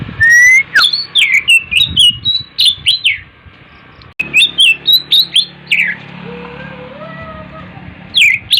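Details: Morning song of an Oriental magpie-robin: rapid clear whistles and sharp chirps in varied phrases, a short break midway, then more quick notes, with a soft lower whistled tone faintly heard behind.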